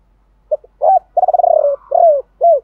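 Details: Spotted dove, male and female, giving chiêu ba hậu song to stimulate other doves; a clipped opening note, long vibrating roll, one drawn coo and a final rounded hoot.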